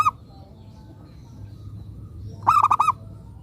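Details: Local zebra dove, a lure bird, delivering one full phrase of four rapid, rounded coo pulses after a clipped note and a quiet pause, with low rumbling in the background.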